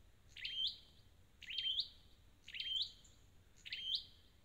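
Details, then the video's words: Red-headed flowerpecker, a wild-caught bird; high, sharp notes, each a quick downward flick then a rising whistled sweep, repeated about once a second, four phrases in a quiet setting. "File TiếngTiệt Chiêu Phục Hồi Chim Sâu Đầu Đỏ Bể Rừng"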